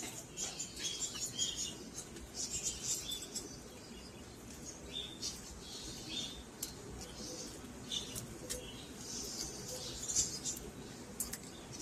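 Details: Peach-faced lovebirds in a cage, scattered high twittering chirps in loose bursts, with sharp clicks and brief quiet stretches over a soft background hiss.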